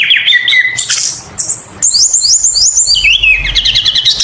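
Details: Kacer, the oriental magpie-robin, singing loudly as bait for other birds: descending whistles, a harsh buzzy burst, then a run of rapid repeated high chips and a fast trilling sequence.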